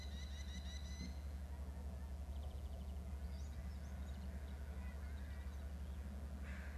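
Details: Eagle at the nest gives a rapid series of high, piping chirps lasting about a second. Later come fainter squeaky notes and a brief harsh burst near the end, over a constant low droning hum.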